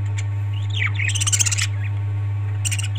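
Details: Parrot calls: a wavering, sliding whistled note followed by rapid raspy pulsed bursts, with a shorter raspy burst near the end. A constant low hum runs underneath.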